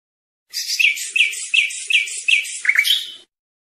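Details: European goldfinch song meant for teaching young birds: a short run of six bright, tinkling chirps at an even pace across about three seconds, the last notes buzzier, with a faint low murmur underneath.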